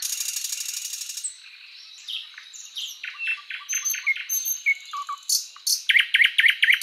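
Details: {'__c': 'Thrush Nightingale song: a long dry rattle, then assorted whistles and knocking notes building to a loud, fast sequence of sharp repeated strokes.'}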